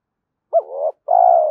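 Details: Spotted dove coo for luring and training decoys: a single phrase made of a quick arched note with a trailing murmur, then a sustained steady coo that breaks off abruptly.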